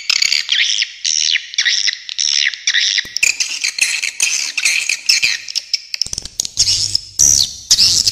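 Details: Swiftlet calls, original recording: rising and falling squeaky chirps in quick phrases about half a second apart, giving way to a busy, overlapping chatter of several birds with sharp clicks.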